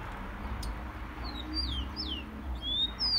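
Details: Rufous-collared sparrow song played to warm up captive birds: a few thin, high slurred whistles, some falling and one long rising, over a steady low rumble of background noise.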